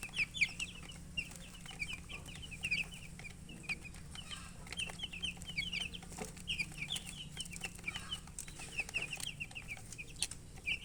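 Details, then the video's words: Young poultry chicks peeping with thirst for drinking water: steady stream of thin, high chirps from several birds, with a faint low hum and occasional taps beneath. "Murgi chicks Chirping sounds with thirst for drink water"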